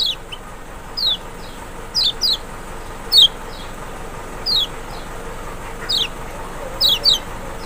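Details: Zosterops chloris maxi, the lemon-bellied white-eye of Lombok or Sumbawa, used to stir a lazy bird to call back: thin, high down-slurred notes, single or paired, spaced roughly a second apart against soft background noise.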